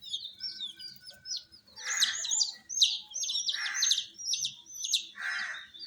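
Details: Baby chicken chicks, kept warm with a heat source, chirping: rapid high, thin, downslurred peeps in quick irregular series, with louder rougher bursts every second or so.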